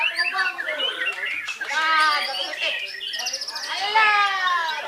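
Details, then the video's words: A Belitung island white-rumped shama delivers a varied, energetic song, with rich whistled phrases, buzzy trills and a sudden high, fast rattling burst near the middle, all loud and sustained. "MURAI BATU JABRIK MASIH MENYUGUKAN PERFORMA TERBAIK NYA"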